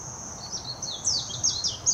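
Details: Warbling white-eye singing in Hashimoto, Wakayama, Japan, on 26 June 2021, Nikon Coolpix P900: brief high twittering with swooping, slurred notes growing louder toward the end, over a thin continuous hum.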